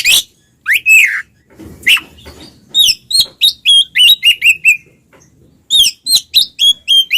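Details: Loud ngeplong singing by twin Oriental magpie-robins, meant to provoke silent magpie-robins. Upswept whistles lead into a quick rhythmic train of short chirped notes, a pause, then another repeated run of bright whistles.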